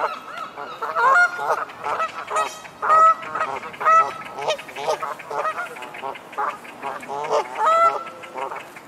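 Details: Two pairs of great crested grebes on the Serpentine trade harsh, nasal, honking barks, roughly one burst a second, several calling over one another in a territorial dispute at their island frontier.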